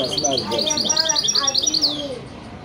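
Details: Mule hybrid of a male goldfinch and a female canary delivering a rapid run of bright repeated notes, ending in a sweeping downslurred whistle, over a low murmur of men's voices.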